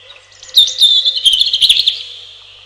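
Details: Robin singing a rapid, high, tinkling warble of sliding whistles and trills for about one and a half seconds, with a lingering ringing tail and a faint steady hum underneath.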